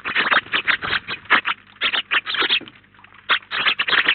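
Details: A flock of about nineteen wild house sparrows gathered at a garden feeder in Collado Villalba, Spain, giving dense, overlapping short chirps in rapid bursts with brief pauses, plus faint scraping and pattering noises.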